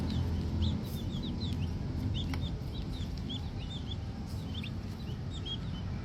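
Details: Small green junglefowl chicks giving steady high, thin cheeps, alternating rising and falling notes, irregularly spaced about three a second, with a low rumbling noise underneath.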